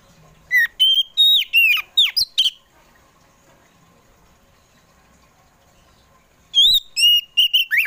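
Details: Afternoon song of an Oriental magpie-robin (kacer poci), played to prompt household pet magpie-robins into song: a rapid series of loud, slurred whistles, a pause of about four seconds, then another quick whistled phrase.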